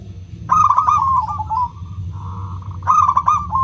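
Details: Local zebra dove singing as a lure for doves that will not sing: two loud stuttering coo phrases, each ending in a held tone, with a steady buzzy tone between them and a low hum beneath.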